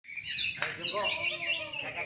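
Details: Greater green leafbird, kept as a songbird and shown as a first-place contest winner: a rich, continuous warbling song with sliding whistles and varied phrases, followed by a man's voice.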